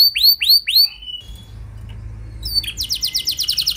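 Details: Canary song used as a lure to set other canaries singing: three loud rising-falling whistled sweeps, a quieter pause of about a second with low background hum, then a fast buzzy trill of repeated short notes.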